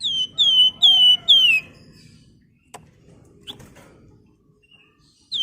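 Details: Javan fulvetta, or flamboyan, giving lure song for other birds. Three clear whistled notes fall in pitch, the last dropping most, followed by quiet clicks and the start of another whistle.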